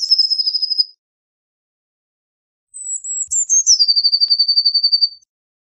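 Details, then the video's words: Eurasian blue tit singing a quick trill, then after a pause a phrase of high drawn-out notes dropping into a long, evenly paced trill. "Blue Tit Singing! Blue Tit Calling! Blue Tit Sound! - Herrerillo Común Canto - Cyanistes Caeruleus"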